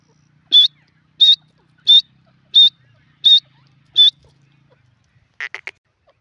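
A francolin gives six loud, harsh, high notes at an even pace, about one every 0.7 seconds, then ends with a quick rattled triple note.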